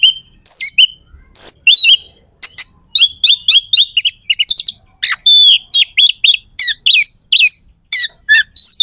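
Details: Oriental magpie-robin delivering a rough, sharp provocation song aimed at rival birds: a rapid, clean sequence of short high chirps and whistled slurs, densely packed, with a near-silent background.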